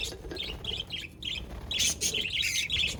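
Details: Pet budgerigars, 22 January 2024: quick, bright chirps come in clusters, softer at first and then a livelier, louder run of twittering in the second half.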